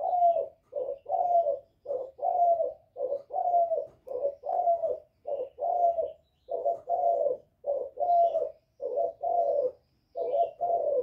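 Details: Thổ-style spotted dove cooing to provoke rival males, an unbroken, regular series of deep, hollow coos roughly twice a second over eleven seconds, with soft higher chirps in the background.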